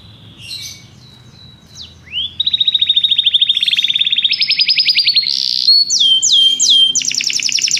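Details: Belgian canary song opening with faint scattered notes and a sliding whistle, then bursting into a loud rapid rolling trill that steps higher, followed by a series of sharp descending whistles and another quick trill.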